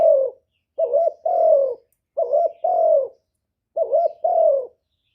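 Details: Spotted dove giving a decoy lure call: three phrases, each a quick two-part coo followed by a drawn-out, slightly falling coo, spaced about one and a half seconds apart in quiet surroundings.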